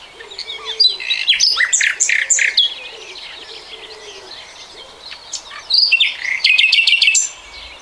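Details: Common nightingale in 2020 giving short loud bursts of clipped notes, a quieter stretch with low faint whistles, then a fast run of repeated high notes.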